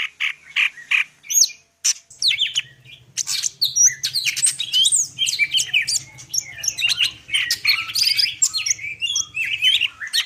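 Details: Greater green leafbird, Medan type, pouring out a busy full-isian song of crowded chirps, buzzes and slurred whistles, with a low steady hum running underneath.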